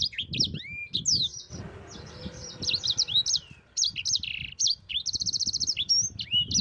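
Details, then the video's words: Continuous ngerol song of a sanger, the yellow-fronted canary, meant for training other songbirds: bright high twittering, downward slurred whistles and a fast buzzy trill near the end, with low thumping noises underneath. "Suara Burung SANGER GACOR Ngerol Pedas paling ampuh untuk Pancingan dan Masteran...!!!"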